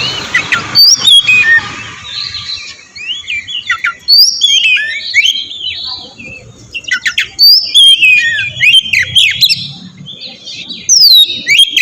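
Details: Lure recording of oriental magpie-robin song aimed at triggering a reply: phrases of varied whistles and scratchy notes separated by short pauses, with faint low background noise.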